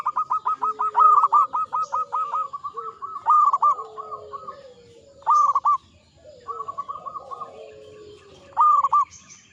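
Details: Song of an old local zebra dove. A rapid series of short staccato coos opens the clip, followed by clipped rolling coo phrases separated by pauses. Softer lower drawn-out tones sound in the background.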